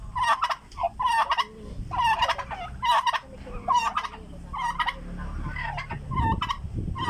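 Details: Turkeys, said to be hungry, gobble in rapid rattling bursts about one a second, overlapping one another, with low rumbling and handling noise underneath.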